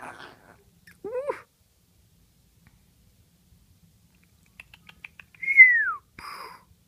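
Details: Pet Congo African grey parrot, an 8-month-old male, indoors, imitating a child's chest-cold cough for attention: a brief rising whistle, a pause, a run of clicks, then a loud falling whistled swoop and a short harsh burst.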